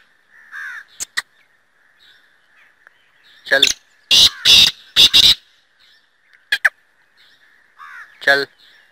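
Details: Black francolin (Francolinus francolinus), call.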